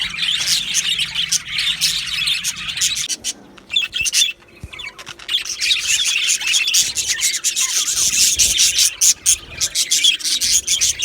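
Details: Australian budgerigars in an aviary colony, recorded 15 July 2025: dense, scratchy chirping and chattering from many birds, with a brief quieter gap near the middle before the busy twittering chorus returns.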